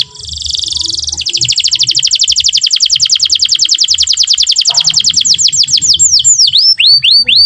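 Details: Energetic canary song, played to young canaries as a model to learn from; a buzzy high trill becomes a long rapid roll that gradually slows and finishes in repeated V-shaped sweeping whistles.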